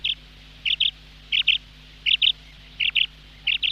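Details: Female quail calling: sharp, high paired notes, a double chirp repeated about every 0.7 seconds, six pairs in all, against a quiet background with a faint steady hum.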